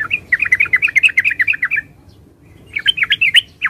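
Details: Yellow-vented bulbul, locally trucukan, giving a rapid string of warbling chirps, a pause, then a second fast bubbly burst; soft low background noise throughout.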